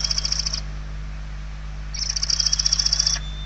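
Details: Barn owl chicks inside a nest in Spain, November 2023, hungry and begging: two pulsed, scratchy hissing bursts separated by over a second of quiet, over a low constant hum.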